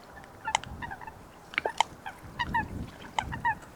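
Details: Coot, a wetland water bird, calling in its natural wetland habitat: short, loud, nasal notes with stacked harmonics, given singly and in quick pairs at irregular intervals over a low background rumble.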